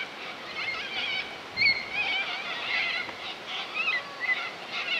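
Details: A flock of corellas calls at a lagoon on Coopers Creek near Innamincka, South Australia. Grating, wavering screeches overlap continuously, with a louder squawk near the middle and sharper cries toward the end.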